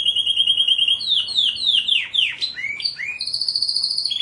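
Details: Canary singing as a tutor for pet songbirds: a fast, high rolling trill, then a cascade of downward-sweeping notes, ending in buzzy, evenly repeated trills at a higher pitch.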